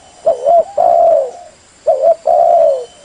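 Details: Spotted dove used as a decoy for trapping, giving two deep cooing phrases: a short doubled coo, then a longer, slightly falling hollow note, in a quiet setting.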